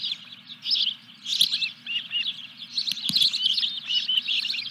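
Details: During a fish delivery to a nest at Dunrovin Ranch, 14 July 2021, an osprey keeps up a near-continuous stream of high chirps and whistles, with a couple of brief thumps and a low background hum.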